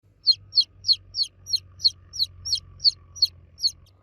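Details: Baby chicks cheeping loudly for the mother hen: high, sharp descending peeps repeated about three times a second in a steady series, with a faint low hum underneath.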